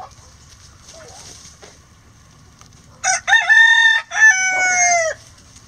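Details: Rooster, a Rhode Island Red, crowing in a chicken coop while hens eat eggs; faint scratching and soft hen noises first, then a loud harmonic crow with brief opening notes and a long, steady, gently falling final note.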